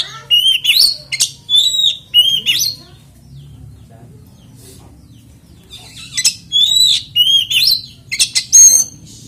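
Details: Oriental magpie-robin lure song meant to make other kacer join in: several quick rising whistled notes, a silent stretch of a few seconds, then another run of bright whistles over a low hum.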